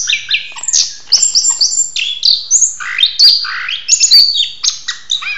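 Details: Loud, continuous mating-ritual song of an orange-headed thrush: high, sweet whistled notes alternating with descending slurs and buzzy fragments, delivered rapidly and varied from phrase to phrase.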